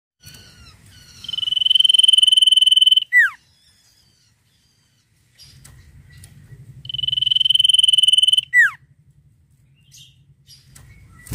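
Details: ['Sirtu bird singing, described as in full voice with rapid trilled phrases: two strong, buzzy, finely pulsed steady trills of about two seconds. Each ends in a sharp downward-slurred note. A low rumble runs underneath.']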